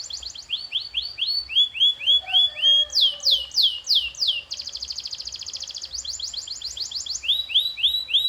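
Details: Canary training song with rising and falling sweeping notes in quick series, loud down-slurred whistles, a rapid rolling trill, then more sweeping phrases, all bright and high-pitched.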